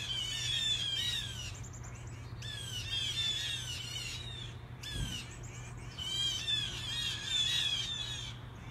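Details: Loud group of blue jays gathering in a tree: bursts of raspy, jeering squawks in rapid overlapping series, separated by brief quieter gaps, over a constant low electrical hum.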